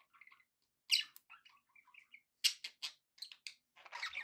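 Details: Happy pet budgerigar sounds: soft short chirps and a few sharp loud squeaks, spaced irregularly, ending in a denser scratchy warble.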